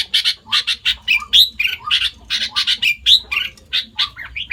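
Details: Mimicry from a sooty-headed bulbul, credited with copying over five bird species: paired harsh buzzy notes alternate with clear whistled upslurs and downslurs, a lively jumbled medley at a rapid, irregular pace.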